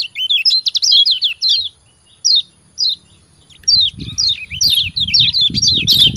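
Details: Yellow white-eye (kecial kuning) 'ciak ciak' training song for lazy caged birds: dense burst of high twittering falling notes, two isolated chirps after a pause, then renewed rapid chattering over low rumbling noise.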